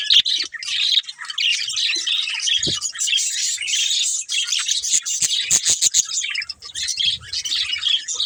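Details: Budgerigars, a breeding pair, produce rolling high chatter and chirps, uneven in loudness, with scattered soft clicks and a low knock.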